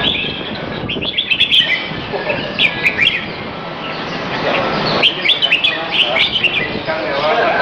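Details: Afternoon arena session on 22 Feb 2017, about 2:15pm, at Serangoon North Ave 1: a caged red-whiskered bulbul gives bursts of quick, bubbly chirped notes in short clusters, separated by brief pauses, against constant background noise.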